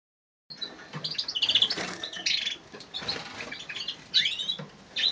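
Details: Male Siberian goldfinch recorded on a phone: bright, high twittering chirps and short tinkling notes in loose bursts, some rising and falling slurs, with faint rustling between phrases.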